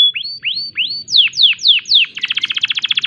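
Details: In breeding condition, a canary gives rising slurred whistles, then four loud downward sweeps, followed by a fast buzzy trill of repeated notes.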